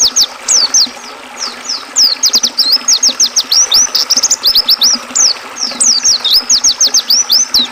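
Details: Oriental white-eye, for training caged songbirds, with river water mixed in: lively, high-pitched, rapidly repeated slurred whistles in dense bursts separated by brief pauses, a soft continuous stream sound underneath.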